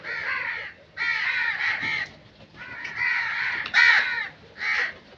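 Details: Crows in the wild: rough, grating caws. Some are drawn out for over a second and others are short, coming in four groups with gaps of quiet between them, with no other sounds.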